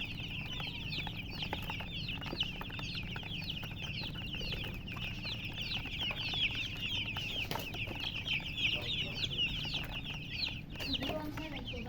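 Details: A crowd of young chickens peeping nonstop, with high, thin chirps piling on one another in a busy flock chorus. A brief lower scraping sound comes near the end, over a faint constant hum.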